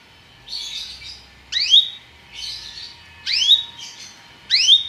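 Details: Belgian canary alternating soft warbled notes with loud upward-sweeping slurs, roughly one phrase per second, in a calm indoor setting.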